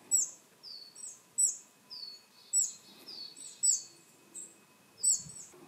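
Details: Willow tit everyday calls, with some Coal tit and Varied tit voices mixed in: thin, very high sharp notes repeated about once a second, alternating with lower, slightly down-slurred drawn-out whistles, over a quiet rural background.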